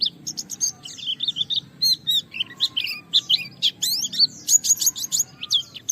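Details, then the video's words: White-eye singing vigorously while challenging a rival, meant to provoke other white-eyes into singing: rapid high, thin twittering of short chirps and down-slurred notes in quick bursts, about three per second, over a faint low rumble. "Suara Burung Pleci gacor menantang Lawan akan memancing semua Pleci ikut Gacor Buka Paruh"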